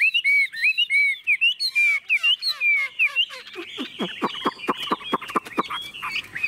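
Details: Fearless caged Chinese hwamei while its cage is shaken: clear looping whistled phrases repeated several times, giving way to a run of sharp rhythmic clicking and knocking with faint song behind.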